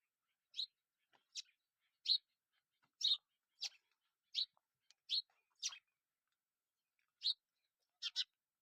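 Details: A bird perched on a tree branch gives a series of short, sharp, high chirps spaced about half a second to a second apart, over otherwise silent surroundings.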